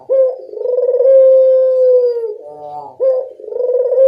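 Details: Dove call, local puter, played as a lure to draw a response from other doves: a drawn-out, smooth, level coo lasting nearly two seconds, a brief rattling break, then a fresh coo starting.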